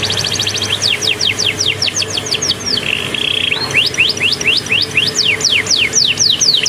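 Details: Caged canary singing after bathing while sunning itself, trained to imitate Bar-winged prinia song: fast repeated downward-sweeping whistled notes about twice per second, interrupted by a short buzzy trill, with a low steady background hum.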